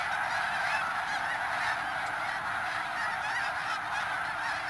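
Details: Snow geese at Middle Creek, Pennsylvania; a moderately distant mass of overlapping yelping honks, with a few sharper single calls rising above the chorus.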